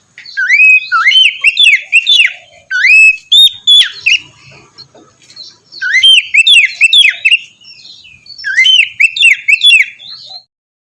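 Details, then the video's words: Morning therapy song of an Oriental magpie-robin to spur a lazy bird: loud whistled phrases in three long bursts, rising slurs, bright level notes and rapid sharp flourishes, with brief quieter gaps between. "terapi pagi cocok untuk mancing kacer malas bunyi agar cepat gacor"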